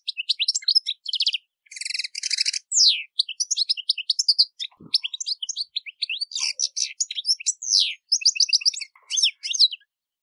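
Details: European goldfinch singing a lively, nearly continuous song of rapid high twittering notes, buzzy trills and quick rising and falling chirps, with brief pauses; varied phrases follow one another for ten seconds with no other clear sounds.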